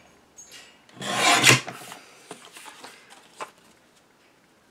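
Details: Indoor rasping and rubbing noises with a loud scrape near the middle and lighter scratches after, with no animal voice.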